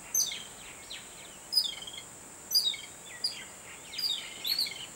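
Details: High, scratchy chirps and downslurred squeaks from a babbler excited on seeing a cat, coming in bursts roughly every second, with steady background hiss.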